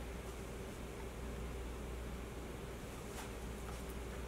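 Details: Steady low rumble with broadband hiss throughout, like wind or engine noise, with no animal voice anywhere.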